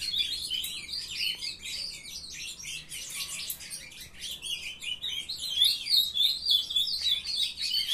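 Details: Several young captive ultramarine grosbeaks chattering, a brown-plumaged juvenile entering song, morning of 23 June 2020. Busy, scratchy twitters and sharp chirps mixed with warbling phrases, becoming more melodic in the final seconds.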